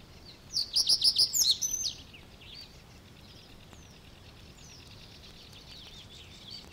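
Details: In the Matsalu reed beds, a Reed Bunting gives one brisk song phrase of six or so ringing, high notes in under two seconds, followed by faint distant bird calls and soft background hiss.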